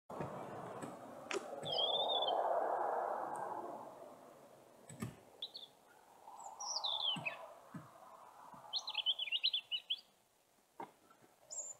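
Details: European robin singing: short, high, thin whistled phrases with trills and descending slurs, separated by pauses of a second or two, over a steady low rumbling background noise.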